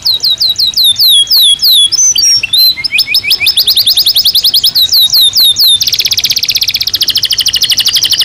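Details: Belgian canary in full natural song: repeated sharply descending whistled notes, a short mixed warble, evenly spaced rising notes, then a fast, continuous buzzy roll at the end.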